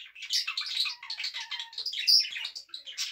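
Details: A pet budgerigar sings while dancing indoors: a continuous chattering warble of rapid, buzzy and squeaky notes, with short whistled accents and a low sliding tone in the first half.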